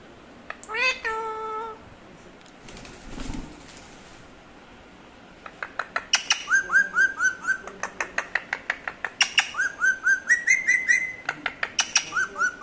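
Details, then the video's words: Pet parrot indoors, waiting for its owner to talk: a short harmonic whistled note, a pause, then a fast run of repeated chirpy notes with rising, whistled phrases, about two per second. "Parrot waiting for me to talk😅 | Funny parrot talking video"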